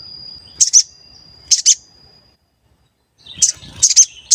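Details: Sooty-headed bulbul (sogon) heard in a lure recording meant to make other birds sing: a thin, steady high whistle under paired short buzzy high bursts, a silent gap, then a cluster of scratchy high notes.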